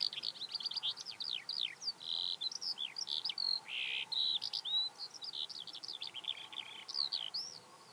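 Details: Eurasian skylark near Hundred End, Lancashire, in May 2017, delivering a long unbroken torrent of quick, high, rising and falling chirps mixed with short buzzy notes, loud and steady throughout.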